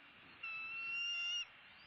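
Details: A Bald eagle in southwest Florida, filmed around sunrise at feeding time on 2-6-16, gives a single thin, high whistle, held steady for about a second, over a soft background hiss.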